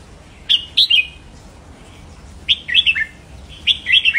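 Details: Red-whiskered bulbul singing to rouse caged birds. It gives three crisp phrases, each a quick run of bright, warbled whistles that slur downward, separated by short pauses.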